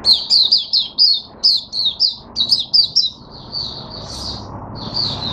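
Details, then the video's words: Caged Oriental white-eye (mata puteh) in open song, recorded 5 May 2022: rapid high thin whistled phrases, each a quick descending slur, strung in bursts then a softer run of notes, with a faint low hum behind. "Mata Puteh Hercules V1 buka sing"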